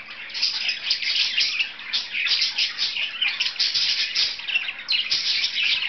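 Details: Two pet budgerigars playing, giving continuous busy chattering warble of rapid chirps and scratchy notes, dense and unbroken with brief dips, bright and high-pitched throughout.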